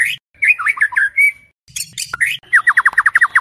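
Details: White-rumped shama at night, used to train competition birds: tangled slurred whistles, a pause, a harsh noisy burst, then a fast even run of short falling notes.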